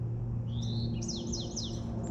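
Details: A chickadee on a sunny day in the Shaughnessy neighbourhood of Vancouver gives a few high, thin notes, then three quick descending slurred whistles about a third of a second apart, over a steady low rumble.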